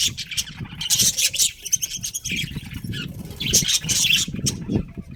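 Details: Colony budgerigars, including a breeding pair, chatter in loud, dense bursts of scratchy high warbling, with low rumbling and fluttering noise underneath.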